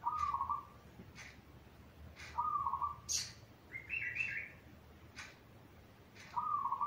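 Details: Zebra dove song kept as a master for training young doves: low trilled phrases repeated about every two seconds, one higher rolling note midway, and crisp clicking chirps throughout.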